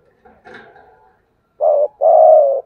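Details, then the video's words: ['Spotted dove in thúc gù cooing: after a faint muffled sound, a short low coo followed by a longer steady coo, deep and mellow in a quiet setting.'] "cu gáy thúc gù/ Cu gu lien tuc"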